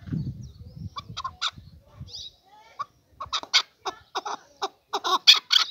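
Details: Male chukar partridge: low rumbling noise in the first two seconds, then sharp, harsh chuk notes that build into a loud, quickening series of clucks.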